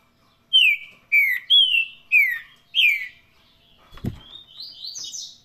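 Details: Green-winged saltator (trinca-ferro) singing in the Paraná song style: five loud, slurred whistled phrases, each sliding downward, delivered about twice a second, then a dull thump and a softer run of rising, twittering notes.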